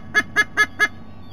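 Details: White-bellied sea eagle, recorded 3 November 2020: four loud, nasal, goose-like honks in quick, even succession, about five per second, over a faint background hum.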